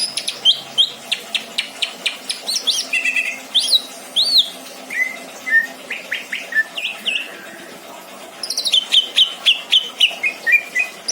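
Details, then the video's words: Pet greater green leafbird from Indramayu, Indonesia, delivering full song with a rich fill. Rapid run of bright, sharp chirps and downward-sliding whistles, a brief pause, then another burst of high ringing notes that ends in lower slurred whistles. "burung cucak ijo isian mantap!!!"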